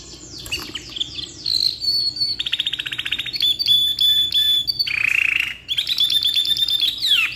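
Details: Black-red canary in lively, long-song form, suitable for tutoring other canaries: rolling ngeroll song of buzzy trills, rapid pulsed rattles and bright whistled notes, shifting abruptly between phrases, with a brief dip in volume mid-phrase.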